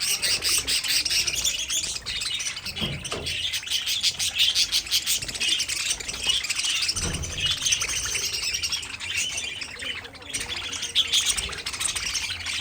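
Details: A long stretch of budgie flock chatter, dense overlapping chirps and warbles with fairly steady loudness and a few soft low knocks in the background.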